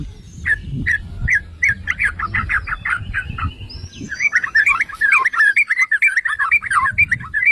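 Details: Yellow-vented bulbul (trucukan) used as a lure for other bulbuls: a series of separate short chirps, then a fast, continuous run of gurgling, slurred warbled notes over faint low noise.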